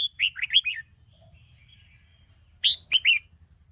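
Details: Sông Kôn red-whiskered bulbul in morning training sings two short phrases of quick, liquid, descending whistled notes, the first a run of four rolling syllables, the second a sharper three-note burst after a two-second pause; low background hum.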